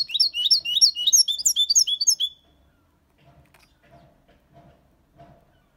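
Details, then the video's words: European goldfinch, six months old, singing clean Malaga-copy style song with colios, quejas and ornaments, used to stimulate young birds: a burst of rapid, tinkling high notes and sharp twitters for about two seconds, then faint low knocks. "Jilguero cantando Limpio 6 meses/ chardonneret chante la copia Malaga / Goldfinch singing"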